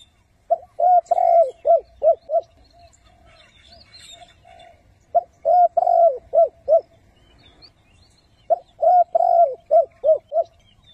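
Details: Decoy spotted dove giving thúc-gù calls meant to draw wild doves into traps. Three mellow cooing phrases, about four seconds apart, each a quick string of six soft, rounded notes.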